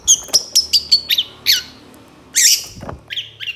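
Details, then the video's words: Long-tailed shrike song used as a lure to provoke lazy birds into singing: a string of sharp, high, clipped notes repeated about five times a second, then a harsh rasping squawk and a few shorter chirps. "PANCINGAN CENDET MALAS BUNYI BAKALAN LANGSUNG NYAUT DAN IKUT GACOR DENGAN SUARA CENDET INI"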